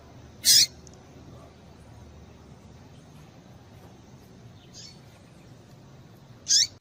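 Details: Two loud, brief high chirps about six seconds apart, with a faint note between, from a female double-collared seedeater calling to excite a male; background is soft hiss.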